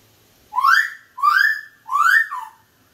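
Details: A pet sun conure gives three loud, rising, slightly harsh whistled calls, each about half a second long and spaced under a second apart, in a quiet room.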